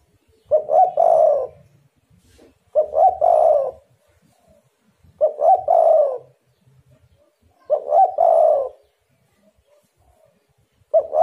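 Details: Spotted dove call used as a lure to make other doves answer: low hoarse cooing phrases of a few notes, each phrase about a second long, repeated roughly every two and a half seconds in a quiet setting.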